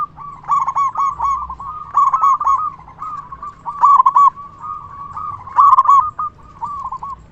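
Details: Zebra dove, local type with a loud voice, calling to provoke other doves to respond: dense, overlapping chains of quick, fluttering coos with sharp trilled starts, barely pausing, over low background rumble.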